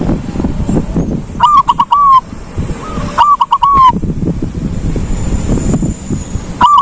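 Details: Ngalung-style song of a silver zebra dove: two loud phrases of rapid stuttering coos, each ending in a long level coo, with a softer distant dove between them and low background rumble.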